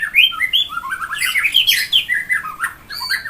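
A white-rumped shama pours out a rich, fast string of varied whistles and slurred notes, rising and falling between phrases, with a faint room echo.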